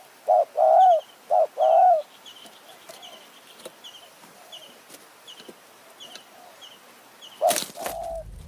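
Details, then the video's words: Spotted dove in a decoy-luring session in Kanchanaburi's high mountain forest, Thailand, on an evening. Opens with two loud low coo phrases, then fades to faint insect ticking, with a sharp knock near the end. "ต่อนกเขาใหญ่ป่าสูง เมืองกาญ | หมายเสียงเล็ก คารมจัดจ้าน"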